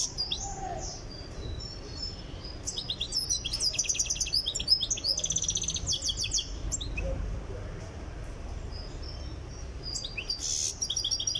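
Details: European goldfinch from Tiaret, still being prepared for singing: bursts of high twittering, clicking notes and buzzy trills around 2.5–6 seconds, a quieter gap, then a brief burst near the end over a low background hum.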